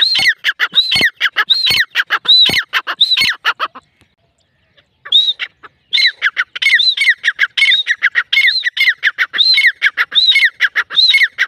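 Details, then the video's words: Grey francolin (teetar), possibly a female, calling in loud, harsh, high-pitched, grating, rhythmic repeated phrases, with a brief pause midway before the calling resumes. "gray francolin teetar sound"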